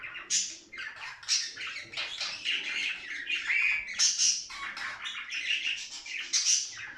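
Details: Budgerigars chattering and warbling, shown to stimulate play, excitement and mating; dense scratchy warbles and squawks with brief whistled notes, several birds overlapping continuously.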